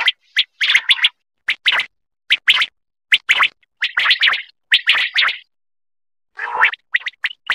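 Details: A quail, used for calling in quail hunting and netting in Pakistan, sings short, liquid, clipped notes in quick groups of two or three, repeated about every half second, with clean silence between phrases.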